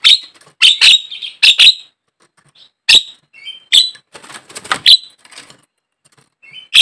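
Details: Javan myna calls used as a lure to prompt caged birds to sing: loud, harsh, rasping squawks in paired bursts, with short thin whistles and scratchy rattles between them.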